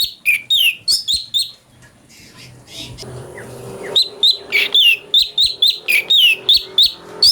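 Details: Ashy bulbul song, recorded as tutor material for training magpie-robins: quick runs of bright whistled notes, each slurring downward, repeated several times a second in two bursts separated by a short quiet gap with faint background noise.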